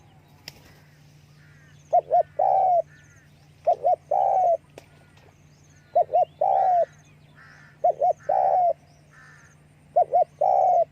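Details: Spotted dove, calling with wing flapping, repeats its phrase five times about every two seconds. Each is a double short coo and then a longer, falling croon. A steady low hum and a few faint clicks are in the background.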